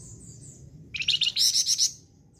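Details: Flamboyan bird in strong song: a loud burst of rapid, buzzy, rattling high notes lasting about a second, preceded by faint high whistles and followed by quiet background hum.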